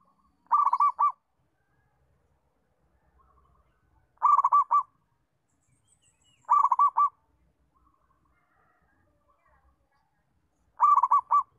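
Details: Zebra dove of local stock singing a settled song suited for teaching other doves: four short rolling coo phrases of rapid mellow notes at irregular intervals of two to four seconds, with faint soft twitters between phrases.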